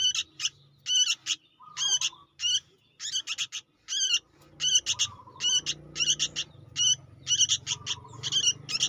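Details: Young sooty-headed bulbul, calling busily and recorded as a lure for trapping, gives rapid harsh rasping bursts, each a quick stutter of two to four notes, repeated about every half second with brief lower trailing whines.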